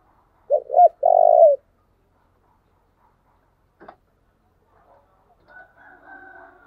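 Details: Spotted dove lure phrase: two clipped coos and one long purring note, followed by a sharp click and faint scattered sounds.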